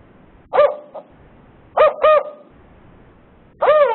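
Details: Northern Spotted Owl, likely a male with lower pitch, giving a series leading into its four-note hooting call: a single hoot, a pause, two quick hoots, then a longer final hoot, all mellow and low.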